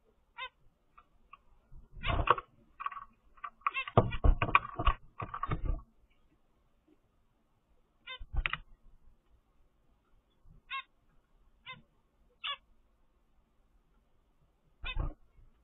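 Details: A captive ten-day-old zebra finch chick gives begging calls: short, raspy calls in bursts, with scattered high chirps between them.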